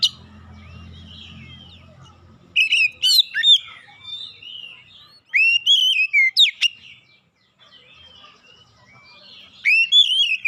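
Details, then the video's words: Lure song of an Oriental magpie-robin, aimed at birds slow to sing: three separate bursts of rich whistles, slurred sweeps and sharp high flicks, broken by near-silent gaps, after a low hum at the start. "kicauan pemikat Kacer bahan susah bunyi langsung gacor"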